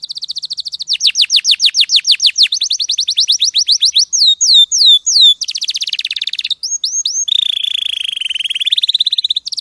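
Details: Training song from a champion canary: a long run of fast descending chips, then rising and falling looped whistles, a brief buzzy roll, and a sustained low-pitched trill to finish.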